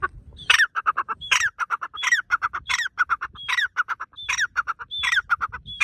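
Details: Partridge calling loudly in a forest, described as very happy: a rising screeched note followed by a rapid run of short clipped notes, the whole phrase repeated roughly every three-quarters of a second, with a faint low rumble beneath.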